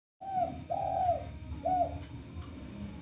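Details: Male spotted dove, a chatty bird used as a lure recording, giving three soft, low coos: two drawn-out notes, a pause, then a third, over a steady high electronic whine and low rumbling hum.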